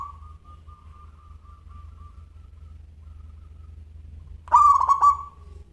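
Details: Crystal-voiced local zebra dove. After a long stretch of faint wavering thin tone comes one strong phrase, a bright coo broken into rapid stutters that then fades away, with a low hum in the background.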